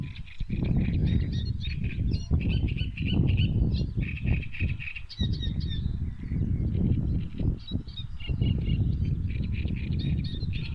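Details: Birds recorded on 23 May 2022, several high chirps and short twittering notes scattered throughout, often in quick bursts, over a strong low rumble like wind or handling noise.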